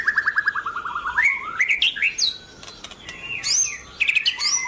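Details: White-rumped shama, a champion-class bird in good singing form, gives a varied song: a rapid run of repeated descending notes, then rising slurred whistles and sharp high upsweeps with brief pauses between phrases.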